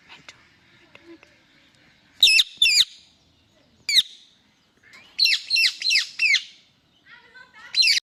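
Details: Beautiful male Indian ringneck parrot with an angry voice: scattered harsh squawks, first a pair, then a single one, then a rapid run of four, a final screech at the end, with faint softer chatter between.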